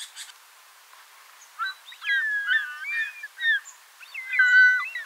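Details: Short-toed snake eagle (Circaetus gallicus) call: plaintive, slurred whistles, several rising-and-falling notes in quick phrases over about three seconds, against faint background hiss.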